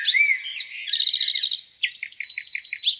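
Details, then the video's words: Birds singing on a spring morning by a lake: a high, busy fast jumble of thin chirps and trills, then a run of about seven quick repeated notes, all bright and high-pitched. "Singing birds"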